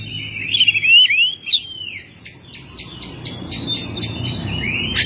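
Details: Home-kept Oriental magpie-robin singing actively: sweet rising and falling whistles with slurred notes, then rapid buzzy chattering bursts and a sharp high whistle at the end, over a quiet low background hum.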